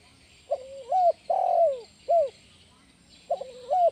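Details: Spotted dove used to lure and train other doves: a wavering low note rising into a coo, a long falling coo, a short arched note, then the wavering phrase begins again.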